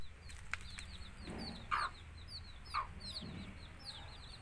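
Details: Baby country chickens peep softly in a sparse scatter of high, down-slurred notes, with two louder, mid-pitched calls standing out and faint low rustling underneath.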